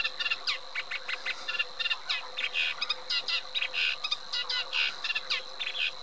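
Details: Chattering Eurasian reed warbler song, a continuous stream of scratchy, varied two- and three-note phrases delivered rapidly, over a steady thin high-pitched background tone.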